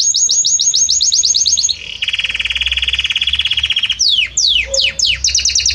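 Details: Varied song of a Belgian canary: repeated high chirps, a long rapid rolling trill, then steep descending swoops and a quick burst of high notes.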